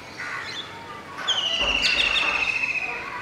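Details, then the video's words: Golden oriole at Masab Tank, Hyderabad, recorded from a window where an adult male sings near a juvenile and two females; a high ringing whistle holds steady for nearly two seconds, with softer chatter just before. "Golden orioles - Adult male with song"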